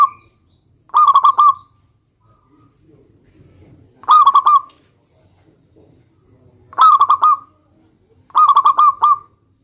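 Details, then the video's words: Local zebra dove song used to challenge a rival into answering: four separate stuttered cooing phrases, each a quick burst of rolled notes ending in a drawn-out coo, spaced a few seconds apart in quiet. "perkutut lokal gacor MEMANGGIL LAWAN ini ampuh MEMBUAT agar burung perkutut gacor NYAUT SEKETIKA"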